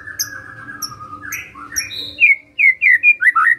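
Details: Magpie-robin singing in gacor style to draw a reply: drawn-out whistled tones at first, then a run of short bright slurred notes toward the end.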